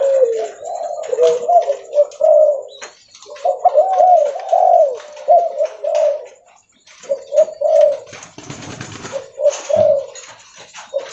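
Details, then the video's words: A spotted dove recorded while walking coos loudly in soft, hollow, repeated phrases, each a few mellow low notes, with a brief rustling burst near the end. "Suara Derkuku Leopard Volume Besar Super Gacor"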